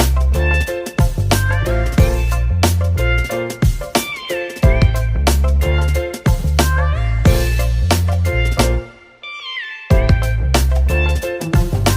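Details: Instrumental music with plucked guitar-like notes and steady low bass plays throughout, with no animal sound heard.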